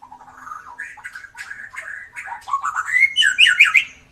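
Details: A drooping-tailed white-rumped shama sings tirelessly as a lure for quiet birds. Soft warbled notes build into louder, higher whistles and a bright squeaky flourish at the close.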